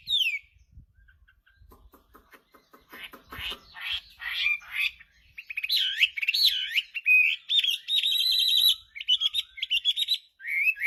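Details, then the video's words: Chinese hwamei starting softly with faint clicks and scratchy chatter, building into loud rich whistled loops and fast varied phrases, some buzzy notes mixed in. "Kicauan Burung Hwamei//Wambi Gacor"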